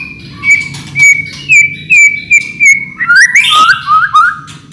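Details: White-rumped shama singing as a lure to set other shamas singing: clear whistled notes repeated about twice a second at steady pitch, then a quick burst of rising and falling whistles and a short chatter.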